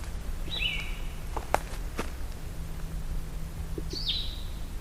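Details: Blue-headed Vireo singing from forest along a hiking trail: two separate sweet, slurred phrases a few seconds apart, each falling and then flattening, with footsteps and clicks in between.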